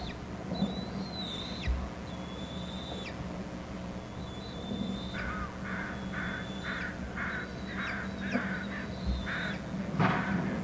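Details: At a Hornby Island bald eagle nest, with an adult delivering food and the young not very interested: drawn-out thin high whistles, some dropping at the end, over hoarse cawing bursts from other birds in the second half.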